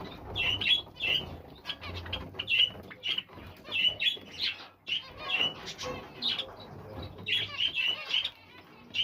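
Zebra finches giving short, nasal, toy-trumpet calls in quick, overlapping bursts.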